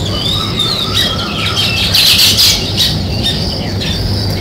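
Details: Natural sparrow sounds: scattered high chirps and a burst of harsh squawky calls in the middle, against a constant high hiss and low background hum.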